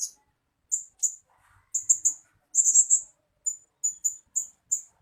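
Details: Blue-crowned hanging parrot, a lure sound for drawing in birds: thin, very high 'tsee' notes, single and in doubles or triplets, repeated about once a second on a silent background.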